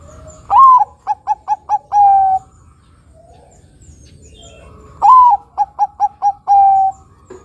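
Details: Bangkok zebra dove, lure song for drawing in other doves. Two matching phrases about four seconds apart, each opening with a rising coo, then five quick short notes and a long steady closing coo.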